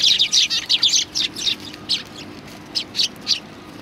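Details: Sparrows approaching to be fed at a Tenmangū shrine, 25 November 2020: quick series of loud, high chirps, about three per second, slowing to a few spaced notes at the end.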